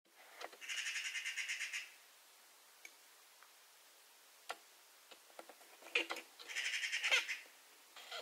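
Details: Eurasian magpie (Pica pica) chatter call: two bursts of harsh, rapid machine-gun chatter, each about a second long, with scattered clicks and knocks between them.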